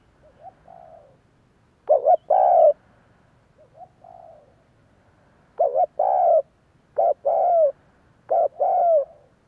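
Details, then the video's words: Spotted Dove lure coos meant to draw replies from other doves: soft introductory notes, then repeated loud phrases of short coos and long, slightly falling coos spread over several seconds. "Tiếng chim cu cườm gáy kích bổi nghe nhanh gáy theo"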